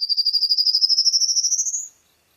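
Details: Rapid, regular trill of pure, high pulses climbing gradually in pitch for about two seconds before stopping abruptly.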